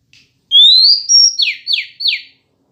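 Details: Singing female Oriental magpie-robin, sounding to goad males into answering. One long whistle climbs smoothly, then a short higher note follows, then three rapid downward-sweeping slurs in quick succession. The background is otherwise quiet.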